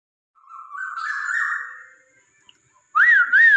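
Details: Chinese hwamei (poksay Hongkong) song used to stimulate a pet bird to sing: one long, slightly wavering whistled phrase, then a pause and a bright, undulating whistle that rises and falls twice.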